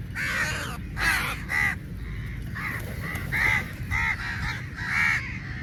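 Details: Crows competing for meat during feeding, a dense chorus of harsh, grating caws repeating roughly every second, overlapping voices near and far above a constant low hum.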